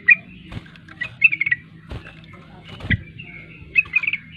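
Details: Kept sooty-headed bulbul trained for song contests, giving short scattered 'ropel' phrases of quick liquid notes between pauses, with soft knocks and a low background hum.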